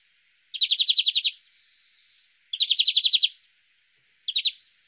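European Greenfinch giving three rapid, rattling trills of evenly repeated notes, the last one brief, with a faint drawn-out wheeze between the first two.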